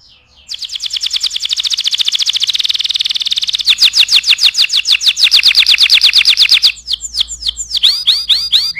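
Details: Canary in vigorous gacor song, used as a master recording for tutoring other birds: a fast, even trill of high notes, then a coarser, louder rolling trill, ending in scattered sweeping whistles.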